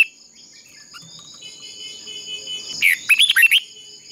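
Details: Red-whiskered bulbul decoy singing a contest-style phrase for bird training: after quiet, a single short burst of bubbly warbled notes near the end, over steady high tones.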